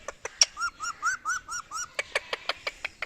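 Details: Indian ringneck parakeet voices six quick matching nasal notes in a row, then a run of sharp dry clicks at a steady pace, recorded close with slight background hiss.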